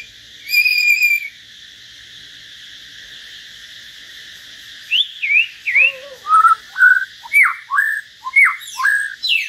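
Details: Common hill myna singing in a solo duel with a white-rumped shama: one drawn-out whistled note, a pause, then rapid loud whistles that dip and rise, repeated about twice a second.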